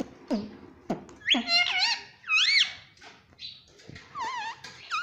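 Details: Parrot that speaks "Mummy" as a pet, giving clicks, then arched, ringing syllables rising and falling, a pause, and a final wavy, trilling note in a small room.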